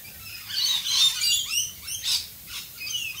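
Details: Rainbow lorikeets in Australian rain giving rapid shrill squeaks and screechy notes, several short calls in quick succession, with rain hissing throughout.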